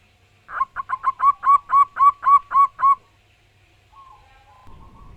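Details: Zebra dove of local wild stock delivering a loud run of about eleven quick, ringing cooing notes, speeding up at the start and steady after that. A faint drawn-out tone and a soft rustle follow.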